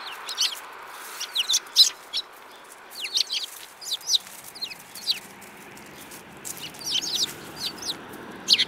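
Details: Lively sparrows from March 2018 chirp in short, sharp, high notes, often in quick clusters of two or three, with brief gaps between bursts over a quiet background.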